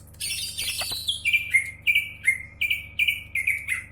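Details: Greater green leafbird, a champion songster, opens with a dense, buzzy flourish, then repeats about ten crisp, downward-slurred chirps at a steady, quick pace.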